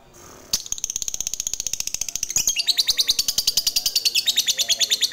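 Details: Fighter lovebird from Indonesia doing its long ngekek chatter, used to provoke other lovebirds: after a brief pause, a fast, rattling string of shrill notes that grows louder and keeps going for about five seconds.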